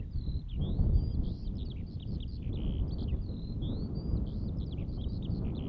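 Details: In Latvia, a Eurasian skylark pours out an unbroken stream of high, rapid warbling and twittering notes over a steady low rumble of wind.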